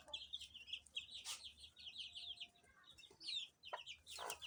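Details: Baby chicks chirping softly: quick runs of high, thin peeps repeated in short bursts, with a few rustling and tapping sounds in a quiet room.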